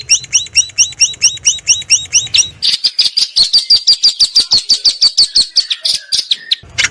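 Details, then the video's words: Long-tailed shrike recorded 16 May 2022 with a Samsung M30 in a house yard and rice field: paired high upslurred whistles repeated steadily, then a long fast run of sharp high chips. "Masteran Burung Cendet Full Isian Mewah"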